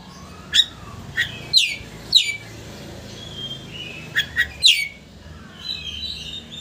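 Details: Oriental magpie-robin song to provoke a rival into opening its tail; a few sharp descending notes spaced out over a steady background hiss, ending with a soft warbled phrase.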